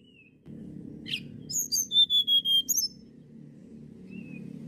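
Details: Sunda blue robin song: a short scratchy buzz, then a rapid string of about seven even, high, pure whistles, each sliding slightly downward, ending with a twittering flourish. A steady low background hum continues throughout.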